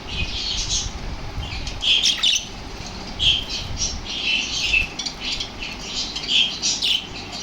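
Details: Lovebirds, super active after hearing lovebird sounds, call with bright, shrill chirps and squeaks in irregular bursts, mixed with faint fluttering.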